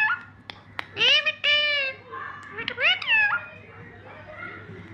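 A parrot imitates human laughter: a few clicks, then two long, voiced, humanlike bursts and a rising-falling chuckle. A low hum sits underneath.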